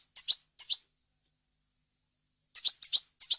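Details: European goldfinch in clean, error-free song with varied wild-style phrasing, recorded for tutoring chicks and goldfinch hybrids; short bursts of high, sharp chirps in pairs and triplets, separated by a long silent pause.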